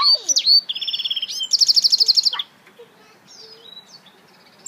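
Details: African citril mule giving sweeping whistles, a steady lower trill and a loud rapid high trill, then fading to faint distant thin notes over low background noise.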